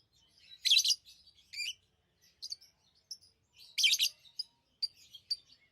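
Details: High, grating lovebird chirps arriving in two strong bursts about three seconds apart, with brief thin squeaks scattered in the quiet stretches.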